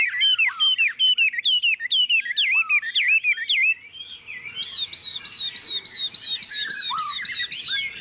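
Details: Chinese hwamei, a tame caged bird on a table singing confidently: loud repeated rising-falling whistled phrases, then a quicker string of bright notes with faint ticking behind.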